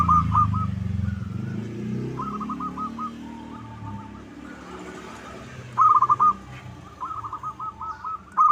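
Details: Zebra dove (local perkutut) lure recording to prompt rivals to answer: faint rolling coo phrases under heavy low rumbling noise, then two louder trilled coo bursts near the end.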